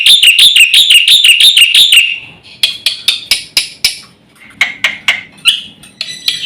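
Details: Energetic black-winged myna song from a master recording made to provoke birds: a fast run of ringing whistled notes, then sharp separate clicks and downslurred chips, ending with short whistles.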